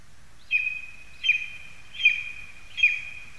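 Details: Four evenly spaced, shrill yelping calls from lesser spotted eagles perched in a spruce, Zemgale, Latvia, late August 2021, each note sharp at the start and fading into a level whine.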